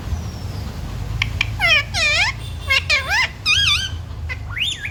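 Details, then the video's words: Parrot speaking human words, with phrases including "mummy papa" and "sita ram": a string of nasal, strongly harmonic syllables with rising and falling inflections, like short spoken words indoors over faint hum. "बोलने वाला प्यारा तोता 💖 parrot talking mummy papa 🥰 parrot talking sita ram"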